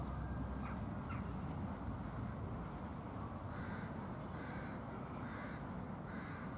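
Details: A very shy hybrid crow with unusual white feathering, among a group of crows: hoarse caws repeat roughly once a second in the second half, half-buried under a steady low rumble of wind or distant traffic.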